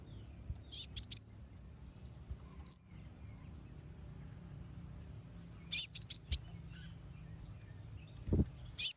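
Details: Konin singing to draw out and provoke rival birds: short clusters of high, sharp chirps separated by long quiet gaps, with a low thump near the end.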